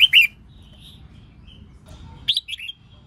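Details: Red-whiskered bulbul female voice for prompting males to sing competitively; two loud clipped whistles open, followed by soft faint notes and a closing run of three falling warbled notes.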